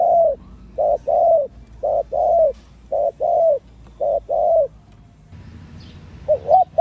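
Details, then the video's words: Female spotted dove cooing to stimulate males: a series of short, low, hollow coos repeated about once a second, each slightly falling in pitch, then a pause before two softer, bent coos close together. "cu gáy CU MÁI.MÁI KÍCH TRỐNG.Tiếng cu gáy mái kích mồi tập bổi"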